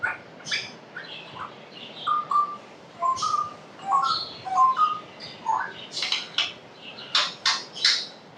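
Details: African grey parrot talking at home: speech-like syllables mixed with short flat whistled tones, followed by a series of sharp clicky bursts near the end.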